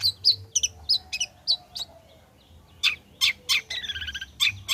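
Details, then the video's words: Freshly moulted long-tailed shrike singing as a lure for other shrikes: spaced sharp high chirps, a short quiet pause, then louder harsh notes and a quick trilled run. "Burung Cendet Gacor Selepas trotol PANCINGAN CENDET AGAR BUNYI"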